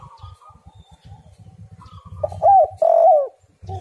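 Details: Spotted dove song played to lure other doves into calling: faint low rumbling and a thin tone, then a burst of loud, throaty, hollow coos with an upward-bending inflection, ending in a short final coo.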